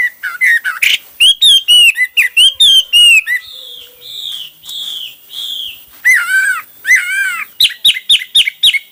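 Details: Hwamei singing a varied song in many styles: loud whistled phrases, rapid rising and falling slurred notes, sustained clear whistles, then a fast series of repeated sharp notes at the end.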